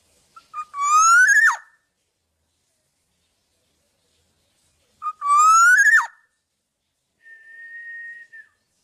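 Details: Black-naped oriole, free and tame without a cage, giving two loud fluted whistles about four seconds apart, each rising from low to high then dropping, followed by a quieter steady whistled note.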